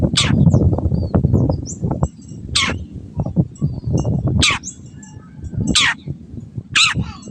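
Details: Long-tailed shrike, a training recording for caged birds that stopped singing: harsh, grating notes every one to two seconds over heavy low rumbling background noise.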